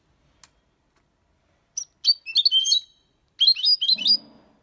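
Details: Six-month-old European goldfinch singing a clean song in the Malaga copy style: bursts of bright, high twittering and sharp chirps, a short pause, then another tumbling phrase, with a faint low rustle at the end.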